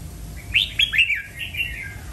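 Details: Red-whiskered bulbul delivering a lively, clear phrase of quick whistled notes, rising then sliding down, followed by a softer trailing warble, with a faint low hum behind.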